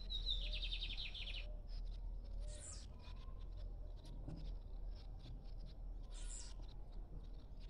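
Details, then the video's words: Lined seedeater singing free, not caged: an opening whistle slides into a fast series of short, high, buzzy notes lasting just over a second. After it come scattered hissy bursts over constant low background rumble. "Bigodinho cantando Solto"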